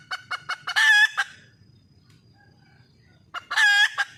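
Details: Red junglefowl female calling for a male. Several clucks build into a loud, sustained note, then about two seconds of near silence before another long note with clucks.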